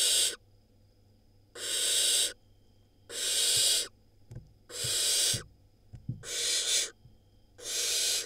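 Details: Nestling barn owl in Israel, from a 2022 brood of five eggs, gobbling a rodent; six drawn-out rasping hisses about one second apart, with faint low thumps and clicks from the nest between them.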